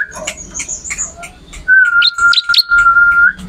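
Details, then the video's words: Bar-winged prinia song for training other songbirds: scattered high chirps, then a long level whistled note broken by a few sharp upward notes. "MASTERAN BURUNG MATERI CIBLEK ORIGINAL GACOR"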